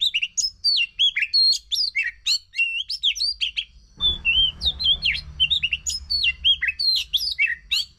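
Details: ['Oriental magpie-robin song played as a lure to prompt a silent bird to sing: rapid, varied whistled phrases with sweeping and rising notes, continuous for eight seconds, a low hum entering halfway through.']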